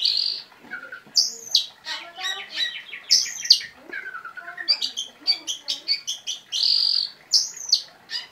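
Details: Oriental magpie-robin in lively song with sharp bursts: loud buzzy notes alternate with rapid chirping runs, descending whistled slurs and bright high sweeps, the phrases repeated with short pauses.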